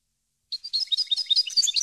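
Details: Short burst of European goldfinch song for training captive birds: dense high twittering with tinkling notes at varied pitch, growing louder.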